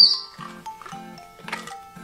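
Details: A talkative pet male African grey parrot, at home with its owner, blows a mimicked raspberry: four short, buzzy, spluttering bursts about half a second apart, with a brief high whistle at the start and steady tones behind.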